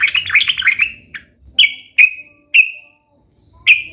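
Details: Sooty-headed bulbul, used to make pet bulbuls sing in answer: a fast warbled opening, then a series of bright single chirps with drawn-out falling tails, repeated roughly every half second.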